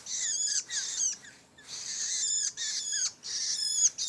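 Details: Raspy, grating calls from a young long-tailed shrike, three extended harsh bursts of uneven length with short pauses, each ending in a slightly downward-slurred scratchy note.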